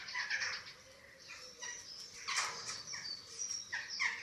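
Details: Eurasian eagle-owl chicks being fed at a webcam nest in Germany, 27 March 2024: nearly continuous raspy, wheezing squeals in overlapping bursts, rising and falling in loudness throughout.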